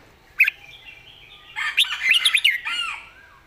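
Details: Red-whiskered bulbul song with good phrasing and a light voice: one sharp chirp, then a busy, slightly harsh run of rapid bright notes ending in a soft falling whistle.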